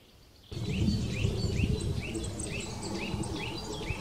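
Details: Eurasian nuthatch in the Wittlicher Senke: a rapid series of short rising whistled notes, about four per second, starting abruptly after half a second of quiet, with faint higher chirps and low rumbling noise behind.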